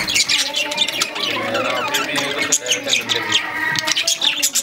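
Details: Lovebirds, a pair, chatter nonstop with shrill, scratchy squeaks and high chirps, overlapping in a busy stream with no pauses.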